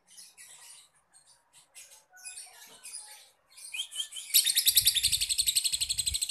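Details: Lovebird call used as a lure to prompt other lovebirds to sing: scattered high chirps for four seconds, then a loud, rapid run of sharp, evenly pulsed notes repeated several times a second to the end.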